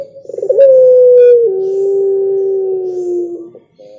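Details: Spotted dove song: a quick stuttering start leading into one very long, smooth, low coo that slowly falls in pitch over about three seconds.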